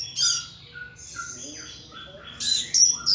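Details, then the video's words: A pet thrush in its cage gives quieter, thin whistles that mix mid and high notes, then bursts into loud, sharp high twitters near the end, in the ngeplong song style. "Burung Anis "Ronggeng" Ngeplong Mabok berat"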